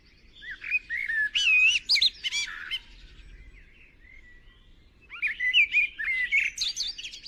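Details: Young white-eye fledgling, a greedy eater being fed, giving bursts of high, squeaky, twisting chirps in two clusters separated by a quiet gap of about two seconds.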